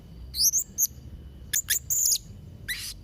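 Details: Blue-crowned hanging parrot (serindit trotol) recorded to train young birds: quick high squeaky chirps and twittered notes, a buzzy shrill phrase, and a final hissing burst.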